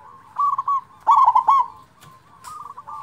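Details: Loud-voiced local zebra dove, recorded as a lure to provoke silent doves into song, gives two bright, stuttering coo phrases in quick succession, followed by a softer, fainter trailing phrase and a couple of brief clicks.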